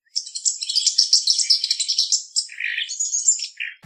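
Thick-billed Weaver giving a dense run of high, chattering chirps for about two seconds, then several harsher, lower nasal notes.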